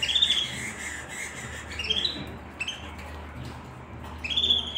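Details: White canary singing: short bright rising whistled notes and brief chirps, spaced with pauses, against a soft low background hum.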